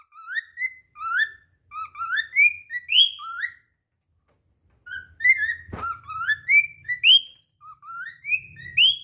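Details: A cockatiel keeps singing even after slipping, whistling a fast string of bright, upslurred notes in two bursts separated by a short pause, with a single soft thump in the middle.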